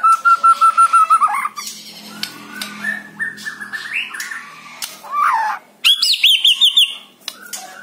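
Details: Caged white-rumped shama's lure song: a burst of rapid repeated clipped notes, then varied whistles and a harsh rasping phrase, ending with another quick series of sharp repeated notes.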